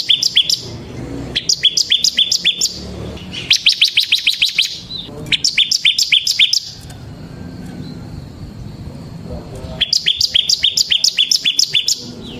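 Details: Energetic ngebren singing by a ciblek semi bar-winged prinia, intended as lure and master song: several long bursts of fast, evenly spaced high chirps separated by quiet gaps, with a faint steady tone in one pause.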